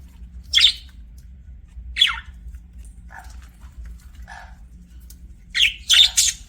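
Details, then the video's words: Pet budgerigar chirping in scattered, short, scratchy notes that sweep downward. Spaced single chirps are followed by a quick cluster of brighter chirps near the end, over a faint low hum. "BUDGIE CHIRPING SOUNDS"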